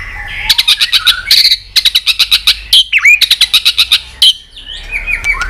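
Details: Many-voiced white-rumped shama song meant to rouse and train other shamas, with tail-flicking: rapid runs of sharp clicking notes around a few whistled and down-slurred phrases, bursts separated by brief pauses.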